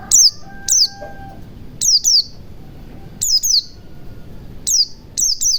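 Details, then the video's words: Forest-style white-eye call, played to get a white-eye that has stopped singing to sing: high, thin whistled notes that drop sharply in pitch, in spaced bursts of one to three, with a brief steady tone early on. "pancingan pleci macet bunyi agar cepat gacor ,ngalas ,buka paruh"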